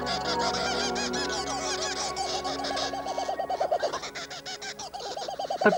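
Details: A loud, raucous Laughing Kookaburra dawn call in the Australian bush: rapid chuckling hoots that rise and tumble in repeated bursts, with soft music underneath.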